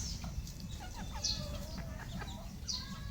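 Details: Farmed red junglefowl give soft, short clucks scattered irregularly through the clip, over a constant low rumble, with occasional thin, high chirps from other birds.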